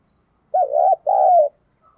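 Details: Spotted dove decoy giving a brief coo to lure wild doves: a pair of low, throaty notes, the second drawn out and sliding down.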